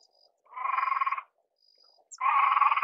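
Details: Great crested grebe (Podiceps cristatus) giving two harsh, grating, nasal calls, each about three-quarters of a second long, separated by a short silence. A faint thin high tone runs in the background.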